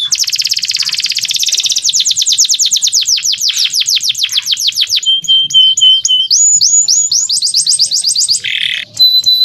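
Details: Clear song of a male canary, used as a tutor for young birds to learn: a dense rapid buzzy trill, slowing into repeated downslurred notes, a long steady whistle, then quick swooping phrases and a brief rasp.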